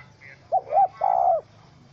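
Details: Wild spotted dove, angry and caught in a trap with a small rope, recorded 04/07/2017: a brief short coo followed by a longer, steady mid-pitched coo note against a quiet background.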